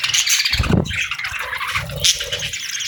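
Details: Baby budgerigars chirp while begging for food. A dense, harsh, rasping chatter is broken by a low thump early on, then runs on with a sharp bright squeak near the end.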